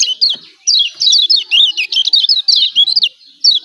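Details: Lombok yellow white-eye, locally pleci, giving its energetic 'ciak ciak' calls: rapid high-pitched chirps that sweep down and up, strung in quick bursts with brief gaps, clean with no other sounds.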